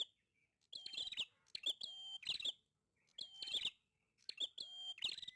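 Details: Prinia singing actively, giving repeated phrases: each opens with a steady high whistled note, then breaks into buzzy, chirping bursts. Four phrases come with short silent gaps between them.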